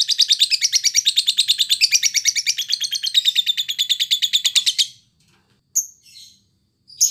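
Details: A lovebird, used as a master recording for fighter-class birds, pours out a fast, shrill chattering song of about three notes a second for five seconds, then gives a few sharp single chirps.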